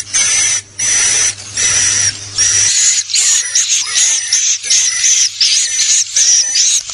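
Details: Call used to lure swiftlets: steady buzzy high bursts with a whistle line, then a livelier overlapping chatter of twittering chirps that keeps going to the end.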